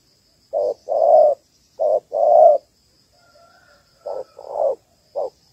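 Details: Female spotted dove of the Malaysian type, calling to stimulate males for trapping. Two groups of short-long coos, soft and low, separated by a pause of about a second and a half, ending on a clipped single note.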